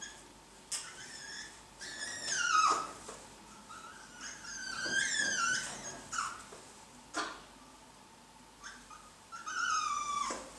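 Blue-and-yellow macaws give whining, wavering calls in bursts about every three seconds during mating, with sharp clicks between them in a quiet room.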